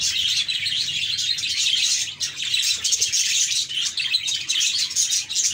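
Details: A flock of parakeets chirps and warbles nonstop, high busy chatter with quick repeated tweets and scratchy trills, loudness staying fairly even.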